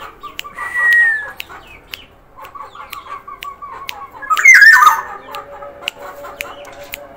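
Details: Black-naped oriole of Sumbawa origin, singing actively: an early clear whistled slur, then soft chattering notes and a loud harsh twisting burst, with sharp ticks repeating throughout and a low steady tone.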